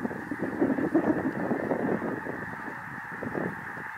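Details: Thousands of Snow Geese arriving from the Arctic land in an Illinois cornfield near the Indiana border, giving a dense din of nasal, yelping honks that overlap into a continuous roar.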